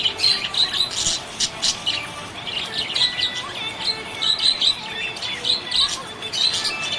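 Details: A happy budgerigar chatters continuously with rapid high chirps, clicks and scratchy warbled notes in quick bursts, with a thin sustained tone running underneath.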